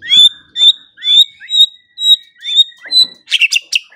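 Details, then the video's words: White-rumped shama singing for morning and evening songbird training: clear upswept whistles, each rising then holding a high note, repeated about once every half second, ending in a burst of harsh scratchy notes. "Pancingan dan Masteran Pagi dan Sore Hari Murai Pendiam Langsung Ikut Bongkar Isian | shama bird"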